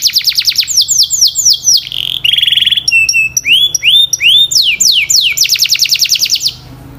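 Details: Canary song for practice: fast descending notes, a buzzy rattle, upward-sweeping whistles, then a quick rolling trill of repeated downslurred notes ending abruptly.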